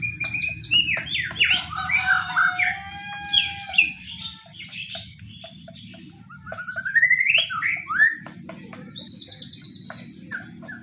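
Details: White-rumped shama pastol fighting-style lure song, used to make any shama join in: dense, rapid, varied whistles and warbles in energetic bursts, a brief lull, then more rising and falling phrases with high thin notes.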